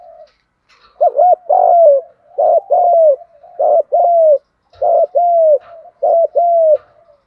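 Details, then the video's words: Rapid 'thúc gù' cooing from a spotted dove with a strong voice: six phrases in quick succession, about one every second, each a short hooked note and a longer, gently falling coo. "Chim cu gáy Thúc Gù bài bản giọng khỏe sung mãn"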